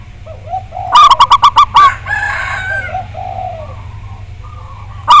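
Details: Local zebra dove with a big voice, used as a lure to trigger singing: a fast run of six ringing staccato coos ending in a longer note, amid soft background cooing, a constant low hum and a brief rough noise.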